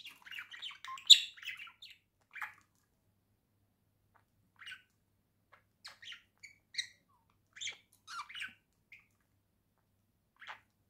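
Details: Pet budgerigars, a pair kept indoors in a cage, chattering: bursts of short scratchy chirps and warbles, clustered at the start, then scattered single notes with pauses between.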